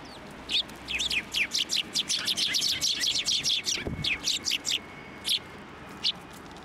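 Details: Several sparrows coming to a hand for food at a Tenmangu shrine, 16 December 2023: a busy run of quick, sharp chirps, nearly continuous for four seconds, then scattered single chirps, with low background noise.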